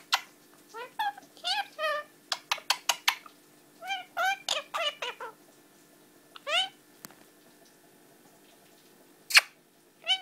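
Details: Indoor pet Indian ringneck parakeet, aged 11 months, chattering in speech-like bursts: rapid clipped syllables and short warbled phrases, then scattered single notes and a sharp click.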